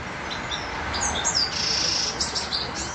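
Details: Grey-crowned goldfinch from Khujand giving soft, high chirps that build into a thin, sustained tinkling trill, partly masked by low background noise.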